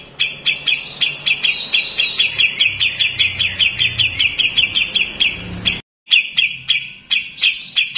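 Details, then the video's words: Bulbul (cucak jenggot) song recorded as training material for cage birds: a fast run of sharp, bright chirps, about three a second, high and steady, with a brief break partway through. "MASTERAN CUCAK JENGGOT"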